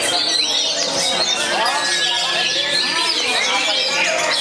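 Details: An Oriental magpie-robin at a songbird contest sings loud, varied whistled phrases with rising and falling slurs, over a dense background of other chirping birds and crowd chatter.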